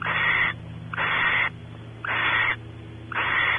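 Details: Nest cavity of barn owls, Audubon Starr Ranch, California, with the male exploring inside and the female expecting mating: four long, rasping, noisy hisses separated by short pauses, with a faint low electrical hum beneath.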